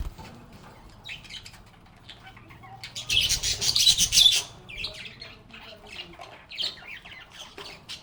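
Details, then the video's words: Pet budgerigars playing and chattering, with a loud dense burst of squawking and chirping in the middle, then scattered high chirps from several birds. "Relaxing Sounds of Singing, Playing, and Talking Parakeets"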